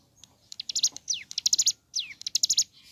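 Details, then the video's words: Morning song of ciblek gunung: rapid bursts of very high, sharp, buzzy notes in groups, with clear downward-sliding whistles woven between them, delivered energetically in two phrases. "Suara Asli Ciblek Gunung Gacor Pagi Hari"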